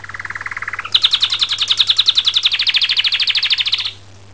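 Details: Canary song made of fast, evenly pulsed trills: a lower rolling trill for about a second, then an abrupt switch to a higher, buzzy rapid trill held for three seconds before stopping; steady low hum underneath.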